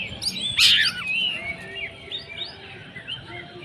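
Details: Oriental magpie-robin, a kept bird, singing a varied run of high whistled and chattering notes, with one loud burst near the start, over steady low background noise.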